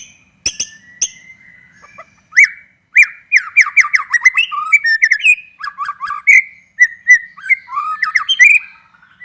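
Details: Lively white-rumped shama bait song for stirring other shamas to sing: harsh grating bursts open a long, fast medley of chattering notes, downslurred whistles and clear fluting phrases, delivered almost without pause.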